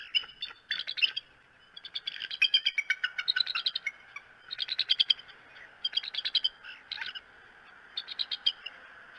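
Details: Bald eagle at its nest in Decorah, Iowa, on 9 April 2018 as snow falls again: loud bursts of high, rapid staccato chittering notes, several runs separated by brief pauses, ending in a final short series.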